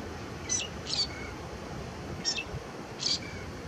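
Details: Lesser grey shrike (Lanius minor) singing on Fuerteventura in 2018: four short, high squeaky notes in two loose pairs over a few seconds, against a steady low rumble of wind or distant noise.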